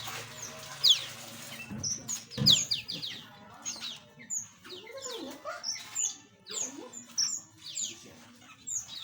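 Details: Small aviary birds chirping together, with a run of short high chirps and slurred whistles repeating irregularly, plus a few lower rattly notes.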